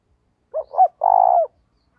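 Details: Captive decoy spotted dove cooing to lure wild doves: two short rounded hoots, then a drawn-out buzzing coo of about half a second with a downward slur at the end.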